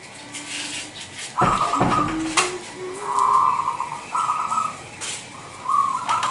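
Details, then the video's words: Local Indonesian zebra dove of wild stock used as a lure to draw other doves, giving bubbly trilled coo phrases near one pitch, three or four short bursts, among knocks and a sliding-door-like clatter. "Suara Pikat Perkutut LOKAL Super Gacor sangat COCOk Buat Pancingan Perkutut Lain."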